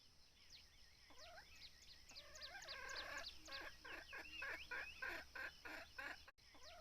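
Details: Red junglefowl drawn in during decoy hunting: thin rising chirps at first, then a rapid, overlapping run of harsh cackling notes that grows louder and stays dense, with a brief knock near the end.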